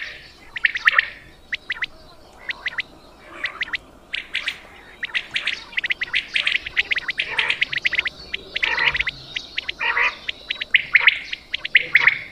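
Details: Quail calling for hunters in Punjab: many sharp chirped notes in rapid bursts, growing busier and overlapping as the sequence goes on.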